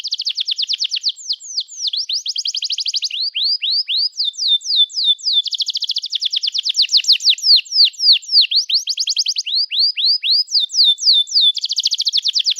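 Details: Canary in full song, meant to encourage young canaries learning to sing: rapid rolling trills alternate with bursts of steep downward-slurred whistles, phrases changing every second or two with no other sounds.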